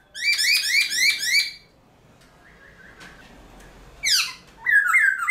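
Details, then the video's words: Caged Black-throated Laughingthrush singing in early morning training, used to fire up other laughingthrushes: a rapid burst of rich, harmonic, chattering notes repeated about four times a second, a quiet pause with faint notes, then loud squealing phrases. "Luyện Khướu Bạc Má Hót Sáng Sớm Kích Chim Khướu Căng Lửa Hót Giọng Rừng"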